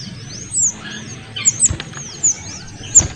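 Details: Small minivet song, male and female mixed: scattered thin, high whistled notes, arched and down-slurred, given in small clusters with gaps, over a faint low background rumble.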